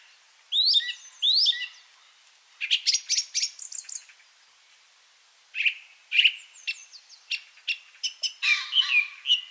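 Song Thrush singing short, shrill, piercing phrases, several repeated two or three times before switching to a new phrase; high and bright, with no other sounds.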